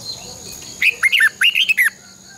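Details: Red-whiskered bulbul, a caged decoy for training birds to sing, producing a lively phrase of about seven clear whistled notes that rise and fall in quick succession.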